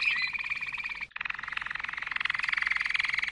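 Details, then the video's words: Malinois canary singing a fast bubbling trill of evenly pulsed notes with a brief pause in the middle; faint background noise beneath. "chant canari malinois;canto canario malinois;تغريد كناري مالينوا"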